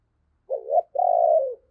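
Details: Spotted dove used as a decoy, cooing to prompt other doves to answer: a short wavering two-part coo, a brief gap, then a long, even, hollow drawn-out coo, loud and clean against silence.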